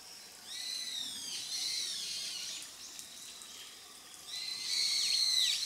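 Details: Grey wagtail from July to December 2023 footage: thin, high, drooping whistles in a short series, then a louder burst of sharp chirps near the end, over a soft hiss.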